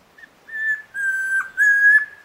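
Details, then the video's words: Chestnut-crowned antpitta (Grallaria ruficapilla) at Alto San Miguel: a faint short lead-in note, then three clear whistles at even pitch, the first brief, the last two longer, with slight dips between; quiet background. "Guía Sonora de Aves - Alto San Miguel: Grallaria ruficapilla, Tororoi Comprapán"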